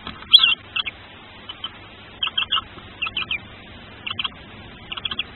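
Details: The first tawny owl chick of a nest-cam pair gives thin, high, squeaky cheeps as it hatches, single or in quick pairs and triplets, at an uneven pace with short pauses between.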